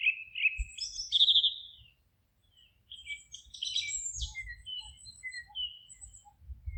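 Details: Birds singing in a forest: loud double chirps, a fast rattling trill, a short pause, then a busy mix of twitters and whistles over light low thumping.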